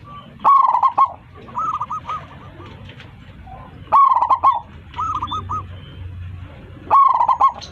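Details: A local Zebra Dove sings loudly to call its flock. Three phrases arrive roughly three seconds apart, each a rapid clipped burst and then a chain of bubbly, bouncing coos, over low background hum.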